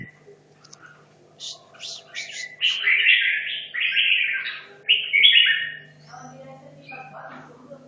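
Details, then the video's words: Hanoi red-whiskered bulbul kept caged 2.5 years, in song-contest practice: a few quiet high notes build into loud, slurred warbling phrases about a second long, then fade to soft chatter, over a constant hum. "Chào mào Hà Nội 2 thả chiến!"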